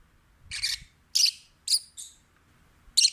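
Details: Rescued stray pet peach-faced lovebird singing while relaxed and happy, giving a few sharp, high chirps spaced about half a second apart against a quiet indoor background.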